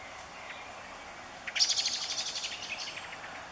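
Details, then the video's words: Grey wagtail (Motacilla cinerea) at Zawada near Dębica gives a run of sharp, high, metallic call notes in quick succession after a quiet start, over a steady background hiss. "Pliszka górska / Motacilla cinerea / Grey Wagtail"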